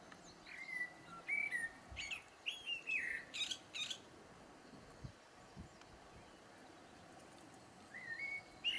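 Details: Blackbird song with a run of rich, slurred fluted whistles mixed with sharp high squeaks, then a pause and the start of a fresh low whistled phrase.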